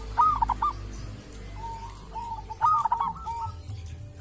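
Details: Local wild zebra dove (perkutut) from a sacred grave site, noted for its distinctive voice: two phrases of quick, bubbling staccato coos, each opening with a higher rolling note, over low background rumble.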